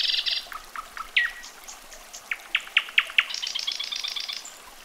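A common nightingale sings a varied phrase: a buzzy opening, scattered whistled notes, a crescendo of loud repeated piping notes, then a rapid high trill.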